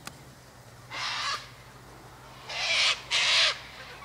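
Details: Wild sulphur-crested cockatoos (Cacatua galerita) at a feeding spot by an eastern gate with sunflower seeds, wheat and birdseed; three rasping screeches, one then a pause and two close together, ending with a downward slur.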